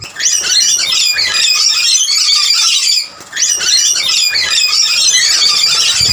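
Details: Rainbow lorikeets jostling over snack plates, a dominant male chasing off birds outside his own family; loud, harsh, continuous screeching fills the air, broken by one brief pause near the middle.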